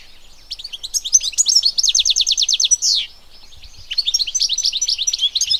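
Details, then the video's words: European goldfinch song recorded in nature: faint twitters grow into a loud, fast series of crisp repeated chirps and a nasal buzz, followed after a short pause by lively jingling phrases. "صوت الحسون حسون ذهبي عروس التركمان طقطق شوك الحسون صافي من الطبيعة European goldfinch sound"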